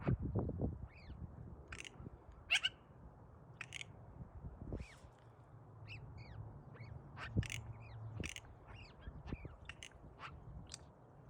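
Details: Magpie making unusual noises. Harsh, scratchy bursts alternate with short clicks and brief upslurred squeaky notes, spaced irregularly, over a low rumbling background.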